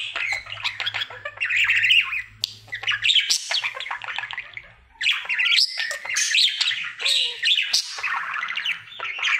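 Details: Happy male budgerigar at home during his daily singing routine: two long bursts of chirpy warbling and squawky chatter separated by a quiet gap near four seconds, over a low steady hum.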